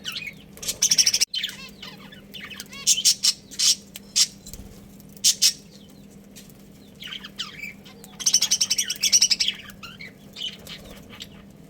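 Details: Pet budgerigars of a breeding pair chirping in loud, rapid trilled bursts of high scratchy notes, separated by short quieter gaps filled with soft twitters, over a low steady hum.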